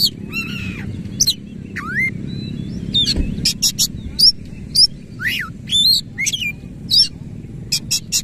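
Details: Energetic white-rumped shama song of harsh, rough phrases with tail open: clear swooping whistles rising and falling, crisp high chips repeated about once a second, quiet low hum behind.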